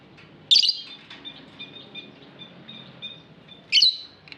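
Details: Aviary lovebird giving two loud, harsh chirps about three seconds apart, with soft, steady twittering held in between.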